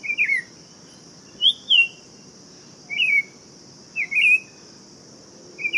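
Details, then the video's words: Buff-throated Saltator repeating short melodious whistled phrases about once a second or so, each a quick slurred up-down warble, five phrases in all, with a steady high insect-like drone throughout. "Canto do Tempera Viola Saltator Maximus"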